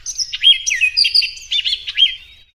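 An orchard oriole sings a fast, jumbled run of clear whistles and slurred notes, rising and falling for about two and a half seconds. Nothing else intrudes.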